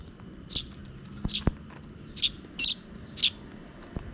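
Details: Near dusk, a parent sparrow feeds two chicks, which beg with five short, shrill, high-pitched chirps at roughly half-second to one-second intervals, along with a few faint clicks.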